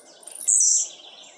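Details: Captive Blue-black grassquit outdoors in the late afternoon, giving one short, intense, very high buzzy note that slurs downward.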